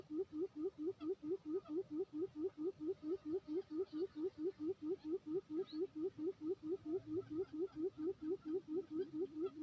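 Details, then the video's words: Quail singing on Lombok island, West Nusa Tenggara, Indonesia, a call used for luring: a rapid, very regular series of short low hooting notes, about two per second, steady throughout. "suara khas pikat puyuh jos ntb (Special singing quil bird lombok island)"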